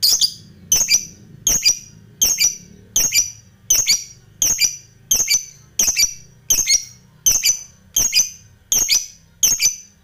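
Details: Lovebird calling to provoke a rival, as a training model: sharp, high, doubled squeaky notes repeated steadily about every three-quarters of a second, in a quiet room.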